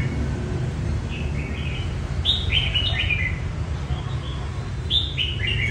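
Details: Red-whiskered bulbul training its voice for competition, delivering lively chirpy whistled phrases that step downward, one short phrase then a fuller one and another, above a low continuous rumble.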